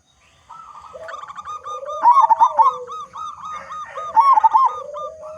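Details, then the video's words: Local-strain zebra dove singing loudly and persistently, used as a lure to get other doves singing; after half a second of quiet, bubbly rolling coos ride over a steady lower cooing tone, with two louder trilled bursts. "Perkutut Lokal Gacor Suara Besar Cocok Untuk Pancingan Semua Jenis Burung Perkutut Agar Cepat Bunyi"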